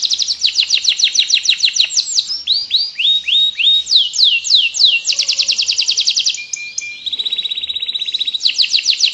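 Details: Continuous canary song recorded as a tutor for other birds and to stir reluctant singers; fast repeated sweeping notes, a stretch of slower looping whistles, then a steady low whistle and a buzzing trill at the end.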